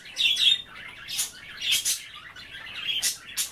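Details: Several pet budgerigars nibbling wet kale chatter in clear warbled trills, then sharp scratchy bursts and wavering whistles repeated every second or so.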